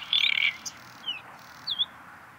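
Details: Bluethroat song fragment: a dense buzzy, trilled burst opens, then two brief, sharp slurred whistles follow after pauses.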